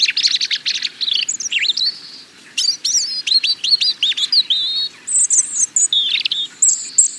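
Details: Rich, varied European robin song: rapid high warbled phrases, thin descending and rising whistles and liquid twiddles, delivered almost continuously with brief pauses.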